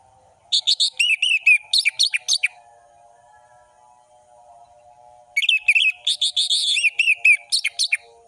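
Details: Orange-headed thrush song, full of variation, meant for young birds to copy: two runs of quick, ringing whistled phrases and trills, each about two seconds long, separated by a pause with a steady low hum.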